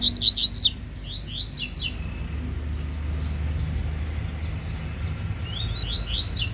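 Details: Rusty-collared seedeater (coleiro baiano) singing fast in a singing contest; opens with a loud burst of quick, high, sweeping whistled notes, then a quieter stretch with steady low hum, and faint repeated high notes return near the end.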